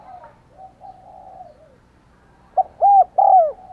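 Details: Spotted dove kept as a lure for wild doves, singing thúc gù and gáy gọi coos. After quiet, faint cooing, three loud hollow coos arrive close together near the end.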